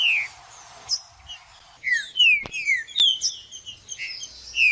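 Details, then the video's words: Green-winged saltator (trinca-ferro) song played to warm up a bird: clear whistled notes sliding downward in short phrases, with sharp high chips and brief clicks between them; a faint hiss fills the first seconds. "MELHOR VÍDEO PARA ESQUENTAR TRINCA FERRO FRIO 2024 TRINCA FERRO JUDAS"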